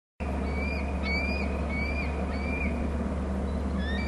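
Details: Bald eagles calling between the nest and the territory on Hornby Island, recorded by a nest cam: thin, high, upslurred whistled notes repeated about every half second over a steady low hum.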